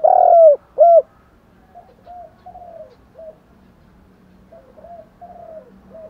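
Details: Spotted dove coos, male and female, used as a rousing lure for training birds: two loud, low, hooting notes open, then a string of faint, soft coos from more distant doves.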